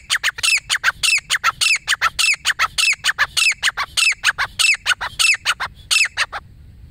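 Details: Lone wild female grey francolin giving its call, a rapid, steady string of harsh, squawky, downslurred notes repeated about every half second, fading out near the end into quiet background.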